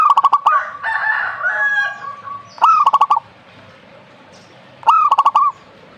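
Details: Zebra dove song: a short rising coo breaking into a fast staccato run of clipped notes, given three times about two seconds apart, with a softer harmonic warbling from another bird between the first phrases.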